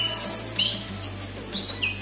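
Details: A captive orange-headed thrush sunning in morning sunlight gives varied, high chirps and brief whistled phrases, some sliding down, tumbling out quickly over a steady low electrical hum.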